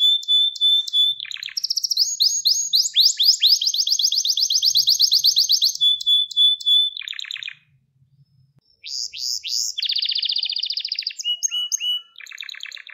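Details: Gloster canary training song meant to stimulate and rouse males: loud, fast canary trills of rapid repeated notes, steady whistles and rising sweeps changing every second or two, with a brief pause near the eighth second.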